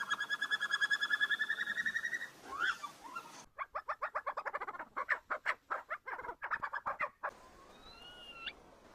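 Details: A Himalayan snowcock, a bird of Himalayan alpine pastures and rocky cliffs, sings a rapid run of harmonic whistled notes, then a fast series of clucking, chattering notes and a final drawn-out rising whistle.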